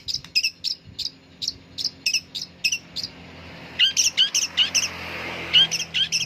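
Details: Long-tailed shrike kept in a cage, calling once its cover is lifted: evenly spaced high chirps roughly every quarter second, then a rising, slurred whistled note repeated in a short series over faint background hiss.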